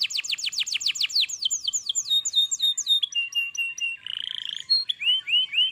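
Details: Domestic canary in vigorous full song: a fast run of clear, downward-sweeping whistles, about eight a second, slowing into longer swooping notes, then a buzzy rattling trill and a few rising, chirpy notes.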